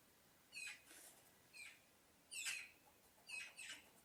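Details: Birds in a sound-effect recording: short, harsh, squawky calls with stacked overtones, given in quick pairs and singles about once a second, over a faint steady background hiss.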